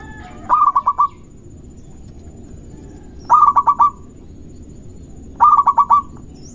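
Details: Local Indonesian zebra dove singing a fast lure song meant to provoke rivals: three bursts of five or six clipped, pulsed coos on one steady pitch, spaced about 2.5 seconds apart over a low background hum.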